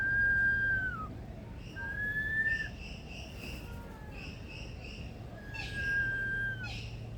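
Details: Male Superb Lyrebird in the Australian Rainforest Aviary at Adelaide Zoo, South Australia, mimicking other sounds: long pure whistled tones, one falling, one level, with brief chirps between, over a steady low hum.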